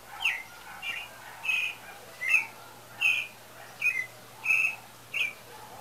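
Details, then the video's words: Pale-breasted thrush in song ahead of the breeding season, delivering clear whistled phrases roughly every half second to second, some slurred downward, steady throughout. "Sabiá Branca Cantando Afinado"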